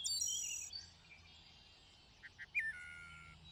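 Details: A thrush in lush greenery sings over background hiss: a high trilled opening phrase, a quiet gap, two short low notes, then a sharp rising whistle dropping into level tones.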